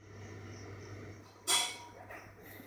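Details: A male budgerigar, sick for two weeks with cough, sneezing and a blocked nose and breathing through his mouth, gives one sharp, breathy sneeze over a low indoor hum.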